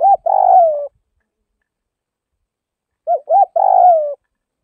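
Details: Spotted dove from the Northwest (Tây Bắc) region of Vietnam, giving two cooing phrases about three seconds apart: short hooting notes followed by a longer, slightly descending coo. Quiet background otherwise.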